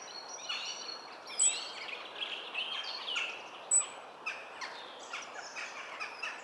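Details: European robin singing in Cornwall on 27 March 2014: thin, high, liquid warbling phrases with sharp piercing notes, tumbling rapidly up and down. Other birds may be calling in the background.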